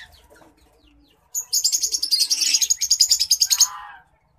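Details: White-headed munia singing during courtship, a rapid pulsed series of high buzzy notes repeated about three times a second for over two seconds, then dropping into a lower rattling trill at the end.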